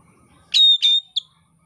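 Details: Oriental magpie-robin song used as training material by Indonesian songbird keepers: a burst of rich whistled notes, then a long steady high whistle and a short closing chirp.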